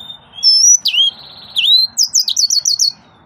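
A yellow-fronted canary sings a bright, varied phrase: high whistles, a rolling slurred note, then a quick run of repeated sweet chirps.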